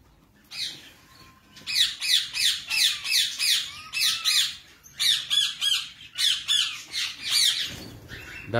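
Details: Captive king quail, said to be about thirty males, calling while being caught in the hand: a steady series of high, thin squeaky chirps, roughly three a second, in bursts with short pauses, with handling noise and faint voices.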